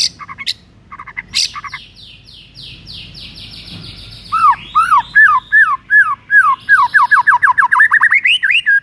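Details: White-rumped shama (murai batu) morning song used as a lure to prompt lazy birds to sing: scattered sharp chips and a thin high trill, then loud rhythmic whistled notes rising and falling, repeated rapidly.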